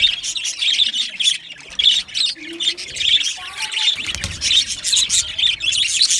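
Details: Budgies, small Australian parrots, chattering in a dense, continuous flock chorus of high, scratchy chirps and squawks, with a few brief lower whistled notes in the background.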